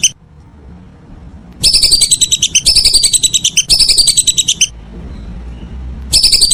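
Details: In the evening, a whistling duck gives three back-to-back bursts of rapid, high whistled notes after a quiet start, falls silent, then begins another burst at the end.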